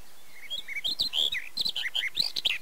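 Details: Barred warbler singing at Erdőhorváti in Hungary's Zemplén, Tokaj, May 2013, captured on a Canon EOS 7D: a soft start building into a lively chattering warble of quick, varied, slurred notes.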